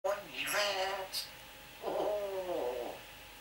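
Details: Pet African grey parrot from Aberdeen chattering indoors: speech-like voiced phrases with wavering, gliding harmonics, a few sharp clicks, then a longer drawn-out sliding utterance.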